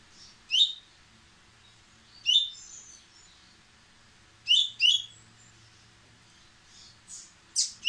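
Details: White-throated seedeater, white-breasted, singing impetuously and speeding up: sharp, bright upswept chips in short pairs spaced by gaps of one to two seconds, with softer high notes between.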